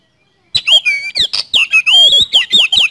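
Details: Oriental magpie-robin singing energetically in rapid 'speed roll' style: after a short silence, a loud burst of high, ringing whistles and sharp slurred notes packed closely together, some long clear tones between quick chirps.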